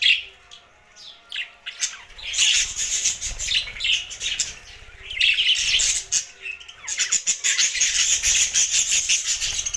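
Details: Budgerigars chirping: dense, high twittering and warbling chatter in overlapping bursts, with brief quieter gaps and a faint low background rumble.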